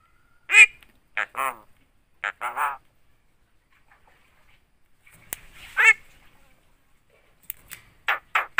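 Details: Vocal Javan myna that copies human words and coughs, including Assalamualaikum and 'halo cewek'; loud nasal bursts, some in quick pairs, separated by quiet pauses, then three rapid clipped syllables at the end.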